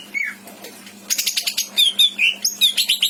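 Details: Pet greater green leafbird from Indramayu with a rich imitated repertoire, kept to train other birds: a single falling whistle, a short gap, then a quick burst of sharp chatter and bright whistled notes.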